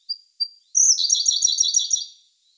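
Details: A Siberian blue robin sings in May 2021, filmed on a Sony A1: two short thin whistles, then a bright, very fast, chattering trill of high notes lasting about a second and a half.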